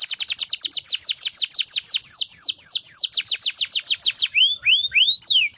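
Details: Canary singing a fast, steady run of sharp downward-swept whistled notes. The phrase slows into wider sweeps, then ends with a few slurred, falling-then-rising notes.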